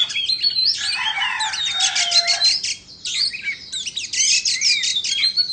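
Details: Singing while dancing with its tail spread, an Indonesian white-rumped shama delivers quick rhythmic rattles and chattering trills mixed with sharp whistled slurs, in two energetic bursts separated by a short dip.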